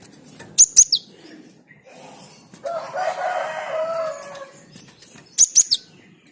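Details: Actively singing Java sparrow, its song meant to stimulate other birds into singing: two bursts of three bright, high, clipped notes several seconds apart, with a lower drawn-out harmonic call sounding between them.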